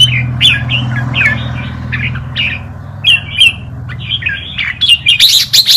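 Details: Red-whiskered bulbul tutor song used for teaching young birds: short bright whistled phrases around mid-high pitch, broken into separate notes with pauses, a low steady hum underneath throughout, busier chirpy notes near the end.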